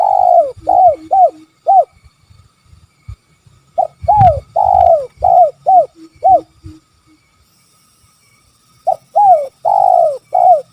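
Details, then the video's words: Spotted dove, "kuk 3" call type: repeated series of low, hollow, down-curving coos in groups of three to five, with gaps of a few seconds and faint handling knocks between. "Suara Panggilan Tekukur Kuk 3"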